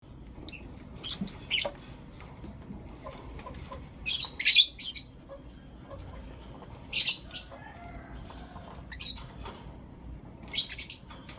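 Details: Blue opaline and lutino opaline lovebirds give shrill, high-pitched chirps in short bursts, often paired, every second or two, over a quiet low hum, in the morning.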